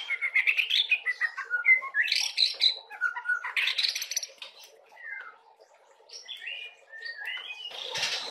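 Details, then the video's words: Young white-rumped shama, called murai batu trotolan in Indonesian, singing a rich, fast, varied phrase of whistles, slurred notes and chattering bursts, with a quieter stretch of scattered whistled notes toward the end. "Burung Murai Batu Trotolan suaranya udah kaya gini isiannya"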